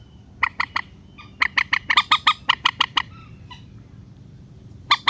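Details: Relaxed rail lure calls intended to draw birds down to nets: short triplets of harsh notes building to a longer even series of about ten squawks, then quiet before a final triplet.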